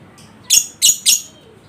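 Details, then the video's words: Lovebird recorded as a lure to rouse a lazy bird into ngekek singing: three quick, harsh, high chattering bursts spaced about a third of a second apart, with a faint squeak before them. "Atasi Lovebird Males Bunyi Dengan Pancingan Ini Pasti Respon Di Jamin Ngekek"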